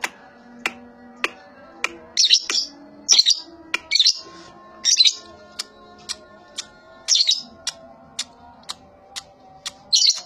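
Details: Young lovebird being trained to give the long ngekek trill gives short, harsh, high buzzy chirps in bursts; a steady ticking click repeats about twice a second over faint tonal background music.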